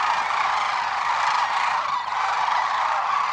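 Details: Sandhill cranes on migration along the Platte River at Gibbon, Nebraska, March 6, 2016: a dense, unbroken chorus of many overlapping rolling, trumpeting calls at a steady loudness, with no single bird standing out.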